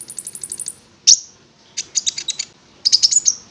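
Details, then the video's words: Prinia (konin) opening with a fast run of very high ticking notes, then a loud sharp chip, followed by buzzy rattling phrases in two bursts. "Pancingan Konin Agar Bunyi"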